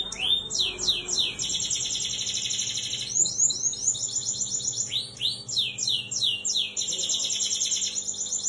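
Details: Lively canary song used as a prompt for a canary that has stopped singing: fast rolling trills alternating with sweeping chirped syllables, high and unbroken throughout.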